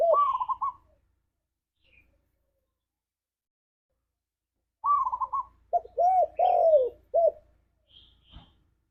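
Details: Spotted dove lure recording in the ngalas style: a quavering higher phrase, a long silence, then a trilled phrase leading into several deep arched coos with a final short note.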